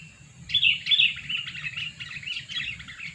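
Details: Two-year-old sooty-headed bulbul lure bird chattering steadily: quick, bright twittering notes running together for about three seconds, loudest near the start, with a steady high hiss and a low rumbling hum in the background.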